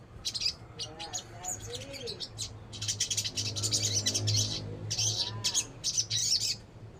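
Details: Crimson sunbird (sogon) pouring out rapid, high, scratchy chirps that swell into a long, dense buzzy trill, with lower wavering whistles and a steady low hum underneath.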